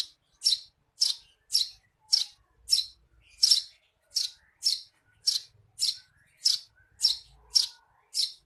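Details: 'Receh' chirps of a Eurasian tree sparrow, played to train songbirds: around fifteen sharp, high, evenly paced chirps at almost two per second, with faint low rumbling in the background.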